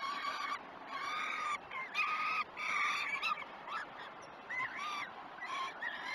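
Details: At the Great Spirit Bluff peregrine falcon nest, breakfast time on 21 June 2018 at 09:07: overlapping hoarse wails run together early on, then give way to shorter, higher rising-and-falling squeals near the end.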